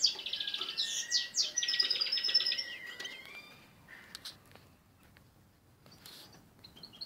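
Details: Balkan-crossed canary during song training, opening with fast rolling trills and clear whistled phrases that fade out midway, followed by scattered faint chirps and clicks.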